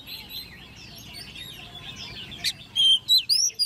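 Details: Competition song of a hand-raised, caged Oriental magpie-robin, ten months old. Against a busy background of chattering birds, the last second brings several loud, pure whistles, some flat and some sweeping sharply upward.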